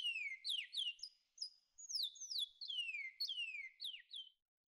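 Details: Twa-twa training song, part one "kiauw": a quieter series of clear descending whistles and short upslurred notes in bursts about half a second apart, ending in silence.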